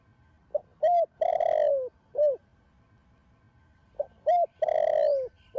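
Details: Young spotted dove of the Thổ Sấm line, singing in the Thổ Đồng voice style to rouse other doves to coo: two mellow phrases, each a soft pickup note, a short coo, a long slurred descending coo, then a brief final note.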